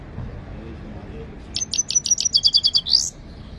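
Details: A training song from a Himalayan goldfinch: after a quiet start, a quick series of a dozen high, clipped notes accelerates into a final rising buzzy note.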